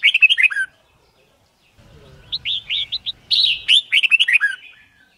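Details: Red-whiskered bulbul in competitive song for song-learning training; a short warbled phrase, a pause, then a run of clipped whistled notes building into a loud, rapid, rolling flourish.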